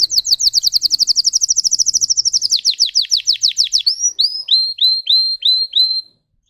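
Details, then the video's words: Singer canary performing a long rapid high trill of repeated notes that slows into descending whistles, then clear upswept whistles, before falling silent. "Red trees Canary Singing"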